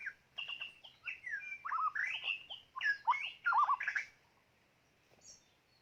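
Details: White-rumped shama decoy bird for bird trapping pours out a rich, fast medley of whistles, slurs and scratchy notes for about four seconds before falling quiet, with one faint high note afterward.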